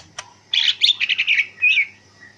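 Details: Cucak hijau, the greater green leafbird, singing ngentrok style during afternoon outdoor training: a loud, fast burst of chattering, buzzy notes ending in a bright slurred whistle.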